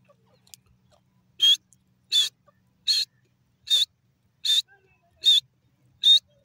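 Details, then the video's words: Desi teetar francolin giving a loud, clear, high whistled note, repeated steadily about every three-quarters of a second, seven times, against a quiet background. "best dakni teeter sound pheasant desi teeter birds sound"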